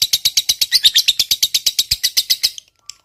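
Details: Lovebird of fighter type delivering 'ngekek' chatter to prompt silent birds to sing: quick series of piercing high notes, about three per second, stopping abruptly after two and a half seconds with one faint note after.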